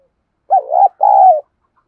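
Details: Decoy spotted dove cooing in the 'giọng thổ' style to provoke wild rivals. It gives a clear two-part phrase: a wavering first coo, a short gap, then a longer, level, falling coo.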